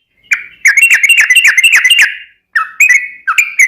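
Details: Yellow-vented bulbul song used as a lure for other birds: bright, bubbly chirping phrases around mid-high pitch, quick runs of notes with a short pause before more chattering bursts.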